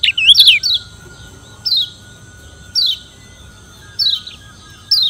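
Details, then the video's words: Challenging song of the Lombok yellow white-eye, or kecial kuning, used to stir up rival birds. A brief high warble opens, followed by thin downward-slurred chirps repeated roughly every 1.1 seconds over a low hum. "Ciak Joss Kecial Kuning Suara Menantang Ampuh Bikin Lawan Ribut dan GACOR"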